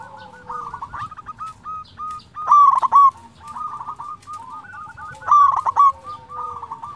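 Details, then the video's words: Zebra dove, local bird singing steadily to lure and stimulate other doves: two loud stuttering coo bursts at about 2.5 and 5.3 seconds, separated by softer repeated cooing from neighbouring doves. "Perkutut lokal gacor suara merdu cocok untuk pancingan di jamin bikin lawan nyaut"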